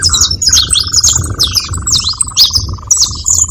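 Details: Saffron finches calling together: bright high chirps and zigzag notes in bursts over a steady mid-pitched trill that runs throughout, with low background rumble.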